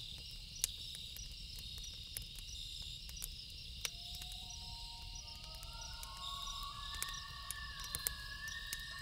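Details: Loon at night giving a series of stepped notes. Each note slides upward and they climb higher one after another. Campfire crackles and a constant cricket chorus sound behind it.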